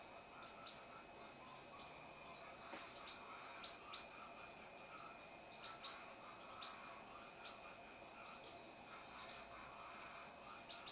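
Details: Captive green-headed tanager calling noisily: brisk high-pitched chips and thin tinkling notes, often doubled or in short clusters, spaced irregularly across the recording, with a low steady background hum.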